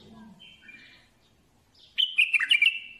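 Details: Faint background chatter, then a bulbul bursts into a short, loud, liquid phrase of jumbled whistled notes that dips and rises and ends on a sustained tone.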